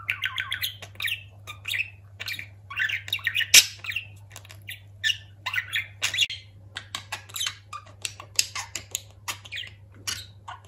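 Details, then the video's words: A pet budgerigar known for talking chatters continuously indoors: dense bursts of raspy, squeaky syllables and quick clicks, several each second, over a constant low electrical hum. "Konuşan muhabbet kuşu"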